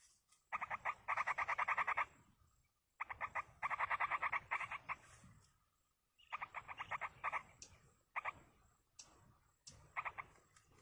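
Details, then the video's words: Eager yellow-vented bulbul chicks, fed by a parent in the wild, give long runs of fast, pulsing, raspy begging notes, several per second, in bursts separated by short pauses. "indukan burung trucuk meloloh anakan di alam"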